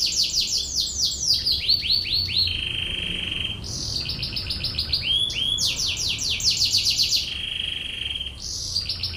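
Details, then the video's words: Canary song in the tembakan ngebren style for tutoring: fast descending stuttered syllables flowing into steady mid-pitched rolled tours, then bright chattering bursts. The pattern repeats in cycles of about three seconds. "MASTERAN BURUNG KENARI//TEMBAKAN NGEBREN"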